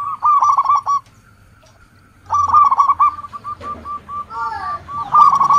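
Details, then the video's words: Zebra dove of a local strain, its song played to lure and draw out other doves: rolling, staccato cooing bursts, a pause, then a longer series of clipped hooked notes ending in another loud stutter. "Suara perkutut lokal pikat dan pancingan paling manjur di putar sekali langsung jadi rame"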